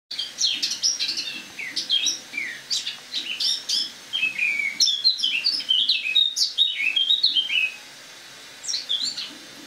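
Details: Autumn song of a caged Eurasian blackcap, recorded indoors in a kitchen on the morning of 1 October 2017: a rapid, varied warbling stream of twittering and slurred whistled notes, briefly pausing near the end before resuming.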